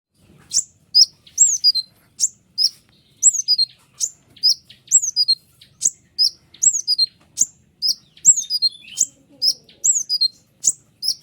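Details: White-winged triller singing dense, sharp 'ngeriwik' phrases meant for tutoring lazy ruby-cheeked sunbirds and young trillers. High, thin whistled notes swoop downward in short bursts, repeated about twice a second with brief pauses.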